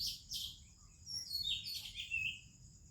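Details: Oriental magpie-robin singing in the morning in India among other birds: brief clear whistled notes sliding downward, then a run of sweet descending warbles, over a faint steady high insect hum.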